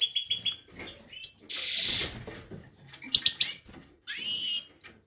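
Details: Male European goldfinch recorded in 2019, singing a jumble of tinkling trills, buzzy rasping notes and sharp, bright twitters in quick varied phrases.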